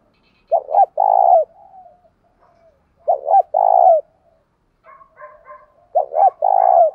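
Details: Spotted dove (cu gáy) with a thổ sấm style voice, used for luring: three low cooing phrases, each a stuttering double note and a drawn-out rolling coo, with quiet soft notes between and faint higher chirps of another bird near the end.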